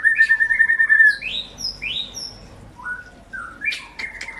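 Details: White-rumped shama song meant to encourage birds that went quiet: a fast rattled trill, then scattered high sweeping whistles and a few lower slurred notes.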